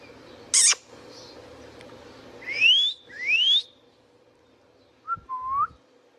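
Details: Pet Indian ringneck parakeet giving natural sounds: a short harsh burst, then two clear whistles rising steeply, then a low clipped note and a lower rising whistle, with quiet background hum.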